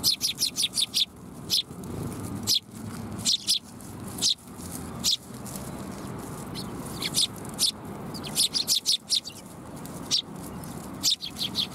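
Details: Several sparrows arriving for food at a Tenmangu shrine, 7 January 2021, give bursts of short bright chirps, dense at the start and again toward the end, with quieter gaps and a soft low murmur beneath.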